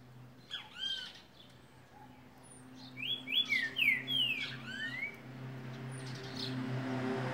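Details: Green-winged saltator, called trinca-ferro boi, gives a loud phrase of clear whistled, slurred notes over a steady low hum, with faint chirps before and after.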